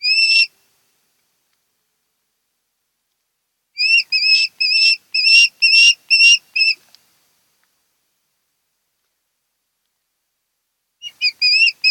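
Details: Osprey calling from a nest on Kent Island, Maryland, filmed by a nest camera on 10 August 2018. A single shrill whistle, a long silence, then a rapid burst of seven slurred cheeps, and after another gap four more.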